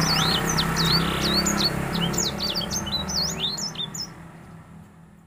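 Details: Male grey singing finch in breeding condition sings to a female, quick high rising and falling whistled notes strung rapidly together, then the song trails off and fades near the end; low hum beneath.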